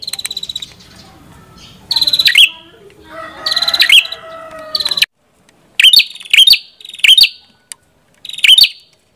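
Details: Prenjak kepala merah gives high buzzy trills ending in sharp chips, with some lower warbled notes mixed in midway. A run of quick, separate chip-buzzes follows after a short silence.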